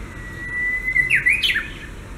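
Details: Answering song of a Japanese bush warbler: a sustained flat whistle sliding into a sharp, twisting two-part phrase that leaps up and falls away, over quiet background hiss.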